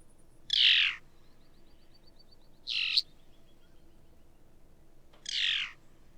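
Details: Phainopepla, a Nevada desert bird, giving a hard trilling call of three short, harsh, buzzy notes that slur downward, about two and a half seconds apart, over a faint steady hiss.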